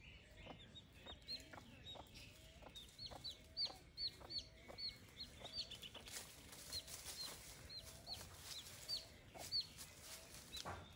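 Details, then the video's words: Chicks peeping beside a broody hen while hens scratch the earth: a steady run of shrill, downward-sliding peeps about twice a second, with low soft clucks from the hen underneath and brief rustles. "Sonido de pollitos. Baby chick sounds"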